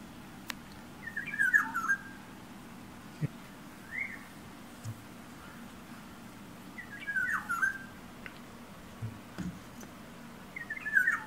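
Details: Yellow oriole perched outside a bedroom window, singing and now and then tapping the glass; the same short warbled, fluty phrase is repeated about every three seconds, with scattered light taps and clicks in between.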